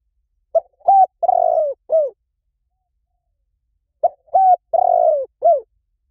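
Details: Spotted dove decoy recording with two identical four-note coo phrases about three and a half seconds apart, each with a short opening coo, a level coo, a long quavering descending coo and a brief arched ending.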